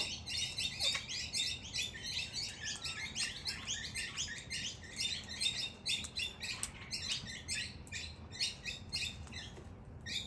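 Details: Wild Australian king parrots squabbling, boys against girls, close to a door: a long run of grating, buzzy chatter notes in quick irregular clusters, pausing briefly, over a soft low rumble.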